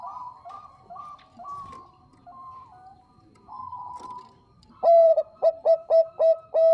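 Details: Bangkok-type zebra dove, described as a female calling the male, sings clear and actively: soft mellow coos in the first half, then a loud burst of rapid staccato coo notes ending in a held, slightly falling coo.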